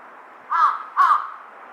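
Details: [3, 'yes', 'caw', 'Large-billed crow giving two short, hoarse caws about half a second apart against faint background noise.']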